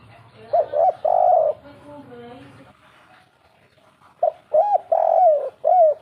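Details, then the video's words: Spotted dove cooing in the kuk 3 pattern: a phrase of short and long hollow notes, a pause with faint low murmuring, then a second phrase of four clipped and drawn-out coos. "suara burung derkuku kuk 3"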